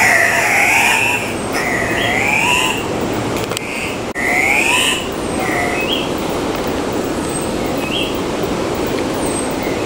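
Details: Andean cock-of-the-rock at Baños, Tungurahua, Ecuador, giving loud, nasal, wavering squeals that rise then fall, about one every second or two, over a steady rushing roar like running water.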